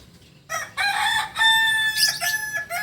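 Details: Rooster of the Kukuak Balenggek breed from Solok, West Sumatra, crowing after a short pause: sustained harmonic notes that step up and down in several linked segments, ending in a rough trailing flourish.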